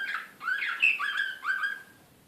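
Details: Excited slavujar canary of the Serbian song type, Belgrade, 2016, delivers a brief phrase of clear rising whistles and slurred notes that fade out at the end.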